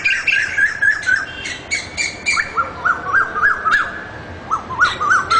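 Asian koel giving a quick run of short, rising whistled notes, about three a second, over a hissy background with a few sharp clicks.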